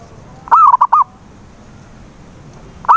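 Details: Lure recording of a zebra dove to start a silent dove singing: one full phrase of a bubbling coo and three clipped notes, then the opening of the next phrase after a two-second pause.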